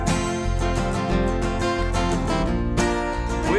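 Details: Strummed acoustic guitar music plays throughout, with no animal sound.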